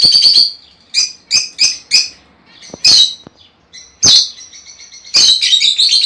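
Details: Lovebird calls played to stimulate a bird to mate: sharp, shrill high chirps in short bursts, a rapid chattering run at the start, then spaced single squeaks and a final dense burst.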